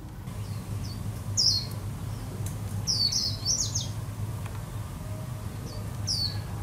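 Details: A flock of wild white-eyes, drawn in by a young white-eye brought as a decoy, gives thin, high chirps in short bursts every second or two over a steady low rumble of background noise.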